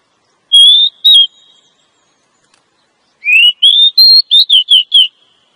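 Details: Female Oriental magpie-robin (Copsychus saularis), calling to attract a male, used as a lure for catching males in the forest: two long, clear whistles, then after a pause a quick run of seven sweet rising and falling whistled notes.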